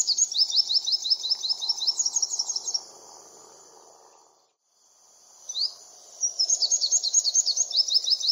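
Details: Olive-backed sunbird (Cinnyris jugularis) giving rapid, high, thin chirping trills in two bursts separated by a brief pause, with faint low background hum.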